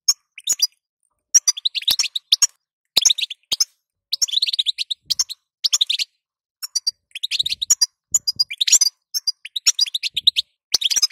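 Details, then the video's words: European goldfinch female calling to make the male sing: an almost unbroken run of high, tinkling twitters over eleven seconds, with only short breaks between clusters. "ستسته وبتبته تخلي حسونك نار"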